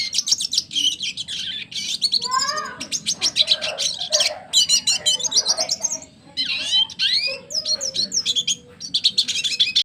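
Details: Captive red siskin, a double dilute mutation, in full vigorous song: dense high twittering and rattling chirp series in bursts, with a few lower sliding whistled notes between phrases and a soft low hum throughout.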